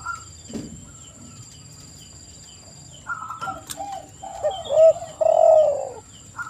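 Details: Spotted dove cooing after about four seconds of near silence with faint rustling: a few short low notes, then two drawn-out, mellow coos. A thin electronic whine stays in the background.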